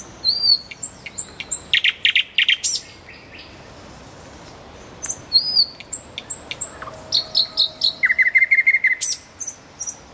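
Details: Common nightingale singing beside a road: bursts of rapid, sharp repeated notes and thin whistles, a short silent pause, then more varied phrases ending in a fast, buzzy trill of repeated lower notes.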